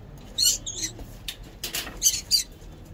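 Lovebirds give shrill, scratchy chirps in short bursts, about five over three seconds, with a few harsh rustling noises between them.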